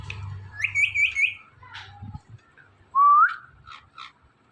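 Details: Talking Indian ringneck parrot: a fast trill of three high wavering notes, a lower falling phrase, then one loud rising whistle followed by short chirpy syllables.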